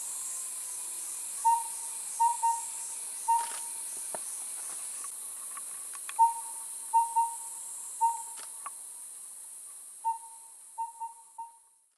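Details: A collared owlet in Liuyi Mountain mid-elevation forest, Taiwan, on 11 May 2019 during nesting and egg incubation gives soft, even whistled hoots in a four-note pattern. The pattern is one, two together, then one, repeated every few seconds over steady high insect hiss.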